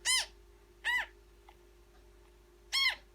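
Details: Newborn African grey parrot chick calling while being fed: three short harsh rasping calls with stacked harmonics, arched in pitch, spaced irregularly, over a steady low hum.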